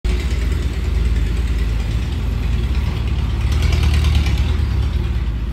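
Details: Loud, steady idling engine rumble dominated by deep low tones, with no animal sounds heard.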